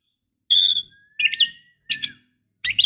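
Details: Female white-rumped shama calling to a male, giving bright harmonic whistles and a thin rising slide followed by harsh, buzzy high notes in three or four bursts, with faint low clatter beneath.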